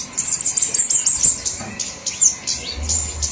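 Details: High, sharp flowerpecker ticks used as a lure, in a fast run at the start, then sparser single notes, with a faint low drone toward the end.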